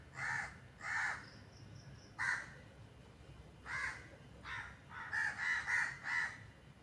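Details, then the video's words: Crows calling in harsh, raspy caws, first spaced singly about a second apart, then a rapid cluster of four or five near the end, with a faint thin whistle in between. "Crows are making Noise"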